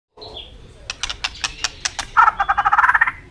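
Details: White-rumped shama singing hard to stir subdued birds. A run of sharp, evenly spaced clicks leads into a loud, buzzy, rattling trill that quickens toward the end, after a faint opening whistle.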